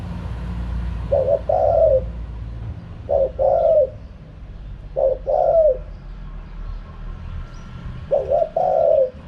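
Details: Spotted dove repeating its 'kharom pa' wild-style coo four times, each phrase a clipped double note leading into a mellow falling coo, spaced about two seconds apart, with low rumble behind.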